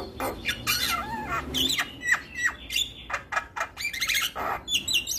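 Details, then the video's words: Javan myna in lively voice, recorded as training material for young mynas: harsh squawks and rasping notes mixed with looping, slurred whistles and quick clicking bursts, all close and loud. "Jalak Kebo gacor Masteran Bikin Burung Jalak Muda Cepat Respon"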